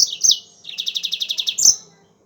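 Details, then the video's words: Yellow-fronted canary, called mozambik, singing vigorously in a tutor recording meant to prompt other songbirds. High sweeping chirps lead into a rapid even trill of about ten buzzy notes, then a final bright chirp, with a faint steady hum underneath. "MASTERAN BURUNG MOZAMBIK GACOR"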